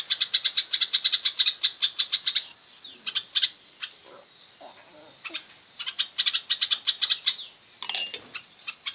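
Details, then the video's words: Sooty-headed bulbul singing as a tutor recording meant to make other birds respond: rapid runs of high chirped notes in bursts of several seconds, broken by brief pauses and a few softer lower sounds. "Masteran burung trucukan..yang lain pasti langsung nyaut"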